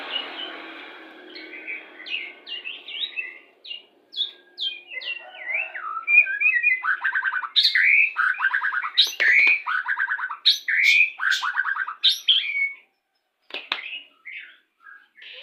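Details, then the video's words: Lure song of a Pastol white-rumped shama for pairing birds to bring them into breeding condition: opens with short whistled slurs, then builds into loud, fast repeated rattling trills and sharp upward notes, varied throughout. "PANCINGAN MURAI BATU PASTOL CEPAT BIRAHI"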